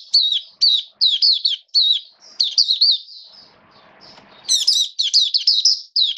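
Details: Caged Oriental white-eye (Mata Puteh) kept as a hobby songbird, in open song on 29 September 2022: high, sweet warbled phrases in quick bursts, with a brief soft rustle midway before a bright, slightly harsher burst resumes.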